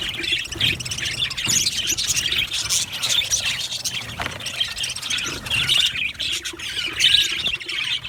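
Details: Happy budgies from an aviary colony twitter together in quick, overlapping high chirps and warbled notes, a lively and unbroken chorus with small surges of louder calls.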